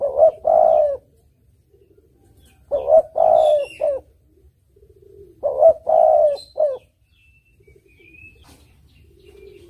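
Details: Lure recording of a spotted dove: three clear three-note coo phrases, short, long, short, roughly every two and a half seconds, with faint low hums and a distant high whistle between.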